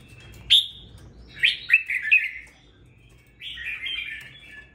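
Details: Kept red-whiskered bulbul, bought and raised for two weeks, producing a sharp opening note followed by slurred, rolling warbled phrases that drift downward, with a quiet background.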